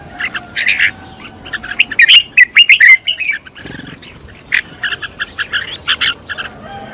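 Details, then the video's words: Red-whiskered bulbul trained as a decoy, fired-up singing: quick chirps, then a loud cluster of sharp whistled notes around two to three seconds, followed by a pause and a renewed run of chattering phrases. "Cách luyện chào mào mồi - căng lửa| luyện chào mào thành mồi, luyện giọng chào mào hót hay"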